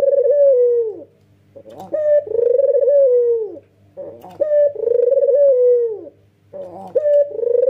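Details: Male white, red-eyed Barbary dove in nodding 'ngangguk' display, cooing with full emotion: a short sharp note, then a long low descending coo, repeated roughly every two and a half seconds, with softer rippling notes in the gaps.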